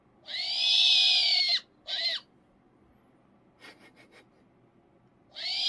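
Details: A captive female Eurasian eagle-owl, defending her toy seal from a reaching hand, gives harsh, hissing screeches: one over a second long, a short burst, then another after a pause, with faint clicks between.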